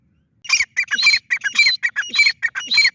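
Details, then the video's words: Francolin calling in grating, squeaky phrases, notes tumbling rapidly with thin sliding whistles mixed in, close and loud. "teetar Ki awaz || teetar voice || teetar sound"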